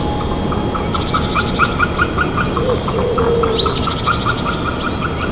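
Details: White-tailed eagle at a nest 35 m up in Nizhnyaya Kama National Park, Tatarstan, 9 May 2024 around 03:44, giving a steady series of yelping, mid-pitched notes, about two or three a second, over broad rushing background noise.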